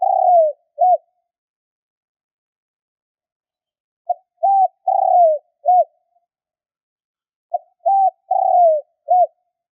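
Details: Spotted dove cooing to stir newly caught doves: the end of one phrase, then two full phrases about three and a half seconds apart, each a soft pip, an arched coo, a long descending coo and a short final note.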